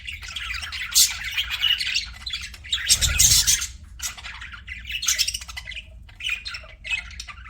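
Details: Pet budgies chirping and squawking in a busy, overlapping stream of harsh, scratchy notes, with a louder burst of broadband squawking near the middle against a low background hum.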